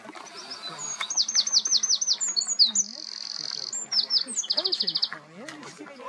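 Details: A Eurasian wren perched atop a tree near Bleadon pours out a loud, high, rapid song of rattling trills and sharp notes, with a faint low murmur of voices behind.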